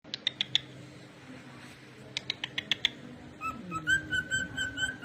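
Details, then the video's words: Pet cockatiel singing: a run of sharp clicking taps first, then from the midpoint a sustained whistled phrase of wavering, slightly rising notes with rich overtones, ending the clip. "Adorable Cockatiel Jerry's Super cute Singing Moments"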